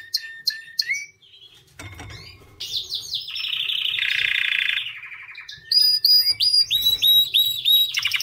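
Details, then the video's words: High chirps from a white canary lead into a dense buzzy trill, followed by loud, clipped whistled notes repeated in quick succession. "White Canary Singing 🎶 Kanarienvogel Gesang"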